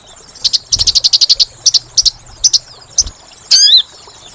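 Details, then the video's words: Bird-trapping lure of a sooty-headed bulbul: a quick series of about a dozen buzzy pulsed notes, several shorter chips, then one loud hooked whistle at the end. "Suara Pikat Burung Sogon Paling Ampuh"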